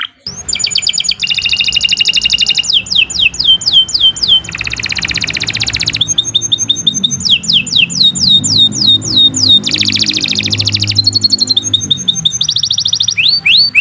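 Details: Nonstop canary song used as masteran to train birds: alternating buzzy rolls, rapid sliding whistle sweeps, and bright rattling trills in quick succession, with a faint low rumble underneath.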